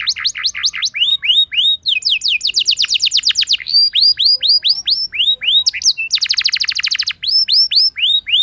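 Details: Canary 'gacor ngerol' lure song intended to set other canaries singing. Arched whistled phrases alternate with short rapid trills, switching among several note types across eight seconds of continuous high song.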